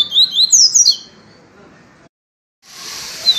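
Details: Yellow-bellied seedeater in viviti song style: a fast string of high slurred whistles lasting about one second, then quiet, hiss and one more thin whistled note.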